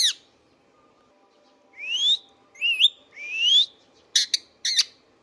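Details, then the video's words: Indian ringneck parakeet kept at home, giving three rising whistles, the middle one kinked, followed by two brief harsh squawks, with quiet hum in between. "Indian Ringneck parrot natural sounds | Ringneck parakeets sounds video"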